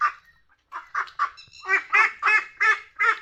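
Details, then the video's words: A duck quacks in a quick series of harsh, nasal calls, roughly three per second, getting louder after a short pause. "Duck Sounds: Quack Quack"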